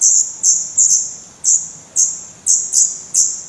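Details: Very high, hissing begging notes from Black redstart nestlings in Portugal, May 2020, recorded near the nest, come in short bursts, some paired, roughly every half second.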